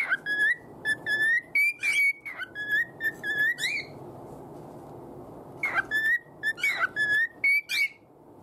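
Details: Contented pet cockatiel whistling its own loose arrangement of the children's tune Hato Poppo, a run of pure whistled notes sliding upward, then a pause and another burst of whistled phrases with buzzy accents.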